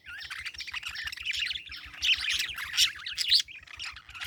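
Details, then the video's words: Continuous, busy parakeet warble of rapid, overlapping high chirps and squeaky notes, barely pausing throughout. "Parakeet Chirping Sound"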